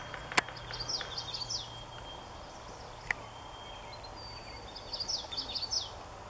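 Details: A common yellowthroat (Geothlypis trichas) at Daly Point sings two faint bursts of quick, rolling high notes a few seconds apart, over steady hiss with a couple of sharp clicks.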